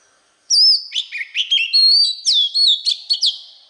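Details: For teaching young birds, a white-rumped shama delivers a loud, varied phrase of rich whistles, dipping slurs and rapid clipped notes, starting abruptly after a short silence.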